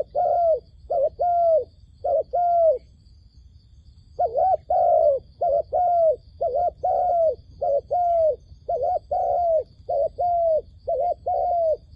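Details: Dove serving as a trapping lure calls in bouts: three coo pairs, a pause of over a second, then a sustained run of about a dozen short-long coo pairs, mellow and tonal, over steady low noise.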